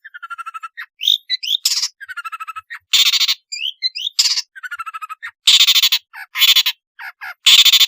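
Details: Actively singing long-tailed shrike delivering varied fills, used as a lure for shrikes that will not sing: rapid buzzy pulse trains, loud harsh rasping bursts and short squeaky twisting notes in quick alternation.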